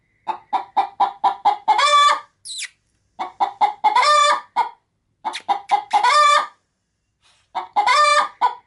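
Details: Pet hen about to lay inside a sack of chicken food cackles on being approached: three bouts, each a run of about six short clucks building into a long loud squawk, separated by short silences.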